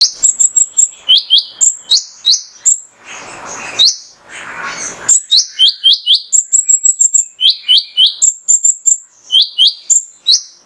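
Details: Male mangrove whistler singing as a lure to stir other songbirds into song: rapid series of loud, sharp upslurred whistles alternating between higher and lower pitch, about four per second, broken midway by two short rustling noise bursts.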